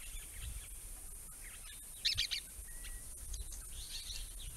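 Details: A pale yellow parrot, thought to be an immature turquoise parrot, arriving at a pond by a creek in Grey-Box woodland north of Violet Town on 31 December 2021, gives soft, high chattering notes, one brighter burst, then a thin whistle over steady insect hiss.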